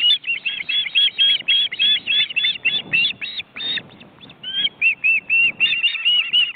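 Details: Four ospreys, parents and big chicks, in a cramped nest in an Estonian forest reserve, watched by live webcam. Steady run of high piping chirps, about three a second, fading briefly before resuming.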